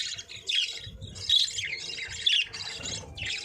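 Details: Budgerigars chirping and singing: a busy, warbling chatter of high, scratchy squawks and chirps in uneven bursts, with low background rumble.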